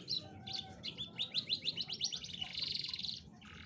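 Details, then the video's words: Canary song used to lure a lazy canary into singing: a rapid string of high chirped notes and fast repeated trills, ending in a sustained buzzy roll, with low background hum. "pancingan kenari malas bunyi"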